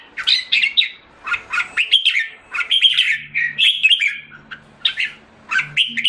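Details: Red-whiskered bulbul kept in a cage in Singapore, recorded 7 July 2017 while recovering condition, sings lively chirpy warbles in grouped bursts separated by brief pauses, notes sliding up and down, with a soft low hum in places.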